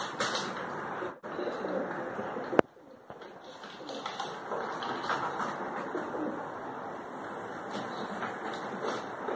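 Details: Pigeons fighting while feeding give low, muffled throaty coos over a steady rustling background, with a sharp knock and a brief wing flutter partway through.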